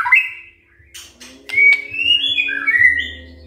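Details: White-rumped shama morning lure song: a short whistle, a few sharp clicks, then a long clear whistled phrase that rises and wavers, over a faint low drone.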